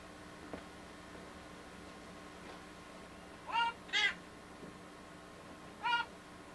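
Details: A pet monk parakeet (Quaker parrot) gives three short, bright, harmonic-rich notes, singing the rock tune "Walk This Way".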